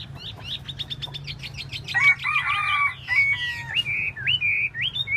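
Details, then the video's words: Chinese hwamei tail-dancing, starting with a rapid series of repeated sharp whistled notes, then a harsh grating buzz, followed by looping rising whistles that grow louder. "Hoa mi mua duoi"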